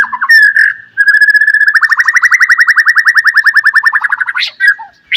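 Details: Captive white-rumped shama singing in the morning, meant to stir other shamas into song: a loud rapid trill of about forty buzzy repeated notes near one pitch, opened and closed by short whistled phrases.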